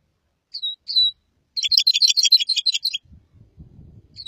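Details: A red crossbill sings two short, high, downslurred whistles, then a fast chattering phrase of bright chirps lasting about a second and a half, followed by soft low rustling.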